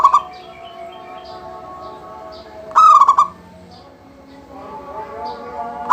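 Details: Zebra dove of a local strain in full song, meant to spur other doves into singing: one complete rolling, stuttering coo between fragments at the start and end, with soft distant bird calls in the background.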